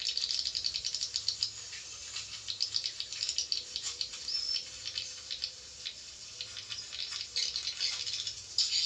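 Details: Javan swiftlet calls played to attract swiftlets: continuous dense, high, dry rattling chatter of rapid clicks, with a faint low steady hum underneath.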